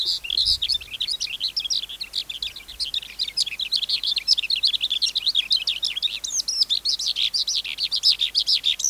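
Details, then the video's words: A wild-caught adult skylark, recorded for tutoring young caged birds, sings a long, dense, high-pitched warble of rapid chirps and trills, running on without pause, with a faint low thump near the start. "Sơn Ca Bổi Hót Giọng Cực Hay"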